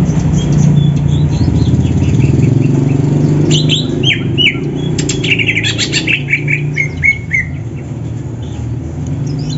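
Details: Greater green leafbirds of Banyuwangi and Sumatra stock sing against each other in the morning while training for competition. Varied bursts of sharp chirps and descending whistled notes tumble out rapidly over a constant low drone.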